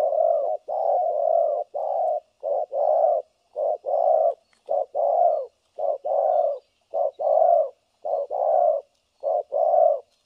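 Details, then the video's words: New spotted dove decoy for trapping, repeating its thổ cấn sấm nước coo over and over: a quick low note then a fuller coo, roughly a pair every second, steady and unbroken. "Bẩy cu gáy 590 | Thổ cấn Sấm nước gù liền"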